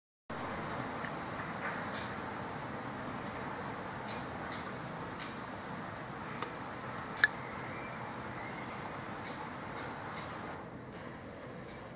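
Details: Steady broadband rumble like distant traffic or machinery, with a few sharp clicks and taps and no clear animal call.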